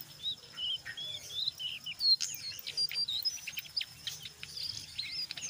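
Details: Energetic brown jongkangan ngeriwik song mixed with ngeplong, used to stir other jongkangan to sing: short high whistles at first, then a burst of rapid scratchy chips and twisting squeaks.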